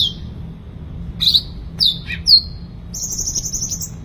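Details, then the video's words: Sooty-headed bulbul, known locally as cucak ranting, singing vigorously: short high whistled notes that slide downward, followed by a sustained high trilling phrase, all over a low steady background hum. "cucak ranting gacor"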